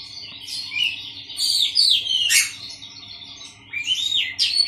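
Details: Oriental magpie-robin kept caged within a colony to reduce its wildness: loud looping whistles and a harsh descending sweep, a short quieter gap, then renewed rising whistled phrases; steady background hum.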